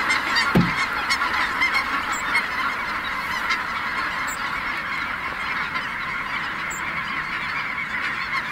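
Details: Snow geese taking flight at Merced NWF, a huge flock producing a dense, unbroken wall of overlapping high honks, with a single low thump near the start.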